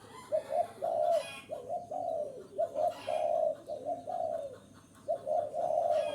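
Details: Spotted dove cooing to lure wild doves: low mellow coos in phrases of two short notes then a long drawn coo that sags at its end, repeated about every second and a half, with brief scratchy noises above.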